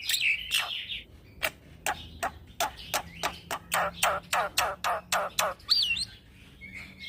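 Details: Young black-winged myna in 'gacor ngeroll' song, used as a lure for training birds: a whistled phrase, then a fast run of sharp, dry clicking notes about three per second, closing with a looping high whistle.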